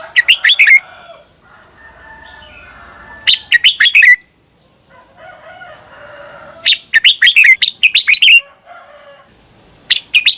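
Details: Caged red-whiskered bulbul song from Thailand, used for tutoring birds; repeated bright warbled phrases of four or five notes every three to four seconds, with softer lower chattering and whistles between them.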